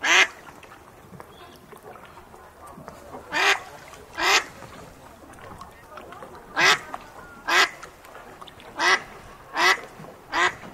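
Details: A fully grown duck gives loud, harsh, nasal quacks, singly or in quick pairs, at uneven intervals of about one to two seconds, over a faint background hum.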